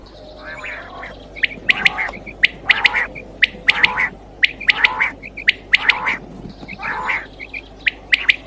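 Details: Quail voice used to lure birds for night hunting: paired sharp clicks and chirps, with buzzy harsher notes between them, recurring about every second against constant background hum.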